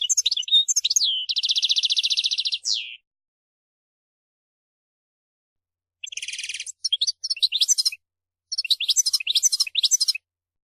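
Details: A singing European goldfinch gives varied twittering phrases, then a steady buzzing trill ending in a downward slur. After a few seconds of silence come further bursts of buzzy notes and sharp rising twitters, all high-pitched and clean.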